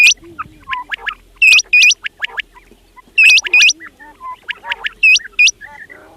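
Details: Several fat quails give clear, piercing hooked whistles in doubled bursts about every second or two, mixed with quieter chattering, squeaky notes and low murmuring calls from other birds.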